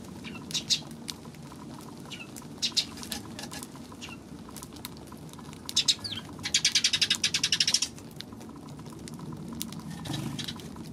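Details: Eurasian tree sparrow giving scattered sharp, high chirps, then a fast run of about a dozen chirps just past the middle, over a steady low background hum.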